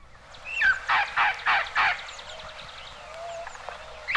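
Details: Red-crowned Parrot of northeastern Mexico, archival recording; a run of four harsh, broad squawks in quick succession, with thinner rising whistled notes before and a faint low cooing dove-like background.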